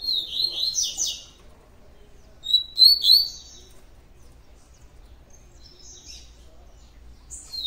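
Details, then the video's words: Coleiro, the Double-collared Seedeater, sings tui tui style: a quick run of high buzzy chirps, silence, then a brief bright phrase of sliding whistles, followed by faint scattered notes. "COLEIRO TUI TUI DIAMANTE FIBRA PURA"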